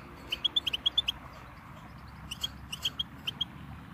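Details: Goldfinch singing a brief string of clipped, tinny chirps, a quick cluster followed by a pause and a few scattered notes, over steady low background noise.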